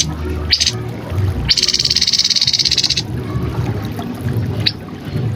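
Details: Song of a grey-headed canary-flycatcher, recorded for training cagebirds: a short buzzy burst, then a fast even rattling trill of about one and a half seconds, and a later brief chip, over faint hum.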